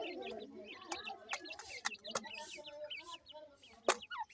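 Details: Little grey francolin chicks feeding, a steady stream of short high cheeps, each slurred up or down, several birds overlapping, with sharp ticking clicks and a couple of louder taps.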